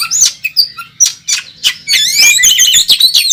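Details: Competing Oriental magpie-robin on a contest track: spaced sharp whistled notes about every third of a second, then a sudden fast tumble of rattling chips and high twisting warbles, with faint low hum beneath.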